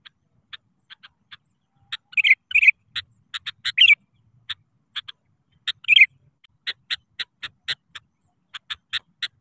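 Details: Sooty-headed bulbul singing actively and calling rivals, used as a lure to get reluctant birds singing; short bubbly whistled phrases at about 2, 4 and 6 seconds, mixed with many brief sharp clicking notes repeated through the clip.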